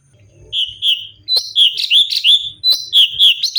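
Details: Cucak cungkok bulbul singing a varied natural song for songbird tutoring: two soft whistles, then a lively series of loud, slurred whistled notes about three per second.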